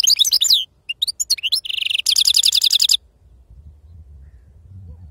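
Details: European goldfinch of authentic wild-type lineage singing in the Sarfati style: bright twittering phrases and quick high notes, then a short buzzy note and a fast, even, tinkling trill that stops abruptly, leaving quiet low hum.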